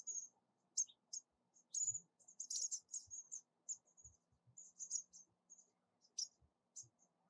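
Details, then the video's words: Bushtits, tiny social birds, giving many contact calls around a nest as a male collects yarn: very high thin short tsit notes, scattered and clustered, some in quick chattering runs, with faint low thumps. "Bushtit Bird - Call"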